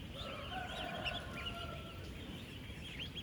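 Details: A large flock of 10-day-old farm ducklings feeding and interacting: high, quick peeps scattered throughout, with a faint steady tone running through the middle and low background rumble.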